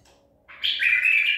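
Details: White-eared bulbul of the Baghdadi type, caught at Medical City, 14 April 2021, giving a single clear chirp that rises, then flattens into a sustained warbled note lasting about a second.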